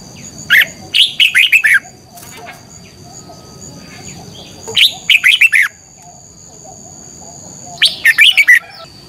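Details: Morning song of a red-whiskered bulbul in competition style, used to prompt other birds to sing: three short, bright warbling phrases of quick notes spaced a few seconds apart, a thin constant high tone underneath.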